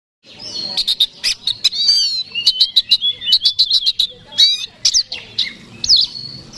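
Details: Oriental magpie-robin, a competition songbird, singing a fighting song used to provoke a rival: loud varied phrases of sharp repeated chips and clear whistles mixed with rich warbling, held high and bright throughout.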